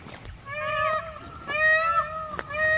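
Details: Peacock calling in rural Rajasthan, India: nasal, richly harmonic notes in a quick series, some flat and some bending, broken by sharp clicking knocks.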